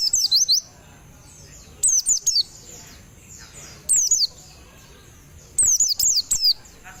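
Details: Javan white-eye in a cage out for morning sun gives four short bursts of shrill, rapid, down-slurred whistled notes, spaced by pauses of about one to two seconds.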